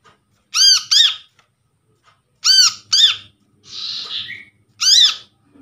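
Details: Trapped brown-throated sunbird calls used as a lure to prompt a quiet bird: loud ringing double notes, each arched and overtone-rich, repeated about every two seconds, with one soft buzzy note ending in a short rising tail.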